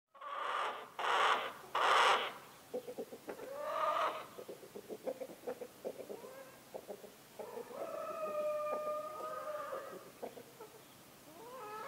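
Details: A domestic rooster at a farm in the Massif Central in winter gives a drawn-out, strained crow after several harsh squawks and a run of quick clucks.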